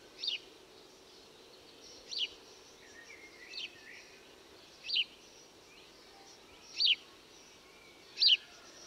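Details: House sparrow calling: short, sharp chirps spaced irregularly every one to two seconds, six in all, a few fainter ones between, over a steady low background hiss.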